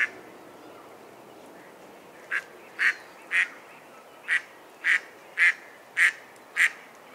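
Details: A couple of seconds of quiet, then a mallard quacks nine times in a steady, harsh series about half a second apart.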